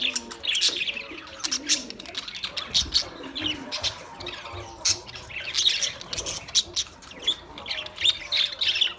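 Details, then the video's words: Australian parrots chirping: a dense, busy run of short high chirps and squawks that overlap throughout, rising and falling in loudness, like several birds calling at once with no other clear sounds. "Beautiful Australian parrot video Bird Chirping sounds"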